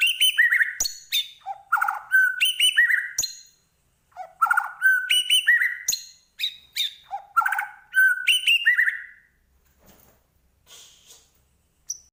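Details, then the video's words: White-rumped shama singing in rapid bursts of clear whistles, chirps and slurred notes, with short phrases repeated in quick succession. Near the end it falls mostly quiet, with only a soft faint note and one last high chirp. "Murai Batu Gacor"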